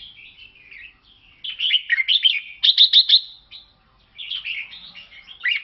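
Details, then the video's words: Bulbul song from a Lao red-whiskered bulbul. Rippling chattery phrases build into loud, quick clusters of sharp slurred notes, go quiet briefly, then resume with another burst. "เสียงนกกลงหัวจุกลาว แววดี"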